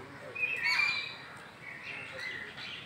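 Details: Red Avadavat (lalmunia) calling in captivity at the Bonobilash zoo in Khulna cantonment, Bangladesh: thin, high, slightly trilled chirps near the start, then softer scattered twittering over faint background hiss.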